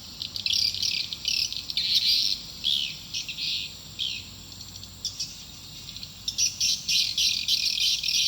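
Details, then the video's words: Swiftlet call played to attract swiftlets to a nest building: bursts of dense, high, buzzy chittering in irregular clusters, with brief gaps between bursts. "Suara panggill burung walaet"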